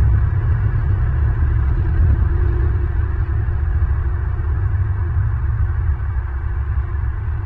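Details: A steady low rumble, like wind buffeting a microphone, fills the recording without any animal calls.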